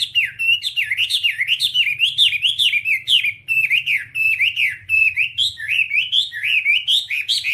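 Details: Energetic whambie song used as a training master: a nonstop chain of sharp, zigzagging whistled notes that rise and fall rapidly, with hardly a pause over several seconds.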